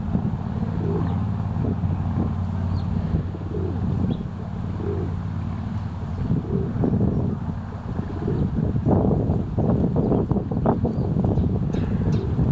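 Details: A male rock dove in courtship, puffing his feathers, gives deep, rolling coos about once a second. A low traffic rumble runs throughout, with clattering noises toward the end.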